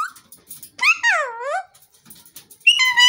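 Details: A green parrot, possibly an Alexandrine parakeet, talking: tonal, speech-like sounds, a short whine, a long note that dips then rises, and a bright higher call at the end, in an otherwise quiet room.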